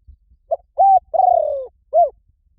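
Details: Spotted dove call used as a lure for wild doves: one cooing phrase. A short note and a level coo lead into a long rolling coo that slides downward, then a short arched final note.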